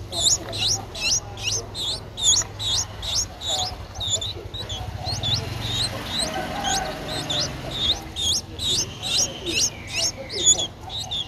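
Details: Streak-eared Bulbul chick, nine days old, recorded 11 April 2023 in Ubon Ratchathani, Thailand; rapid series of sharp, high rising squeaks, about two per second, steady and insistent above faint low background hum.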